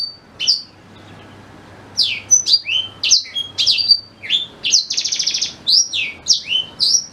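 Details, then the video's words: Black-throated canary song, recorded as a tutor for white-rumped shamas: rapid run of high, sharp whistled notes sweeping up and down, with a brief buzzy trill midway and short pauses between bursts; quiet low hum underneath. "Suara Asli Blackthroat Pas Buat Guru Murai Batu"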